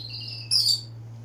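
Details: A single bird's brief, bright, high chirp bursts in sharply after a thin softer note and fades within a quarter second, over a constant low hum.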